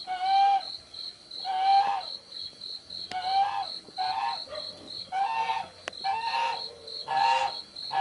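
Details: Young spotted dove making repeated raspy squeaks about once a second, over a continuous rapid pulsing chirp of an insect.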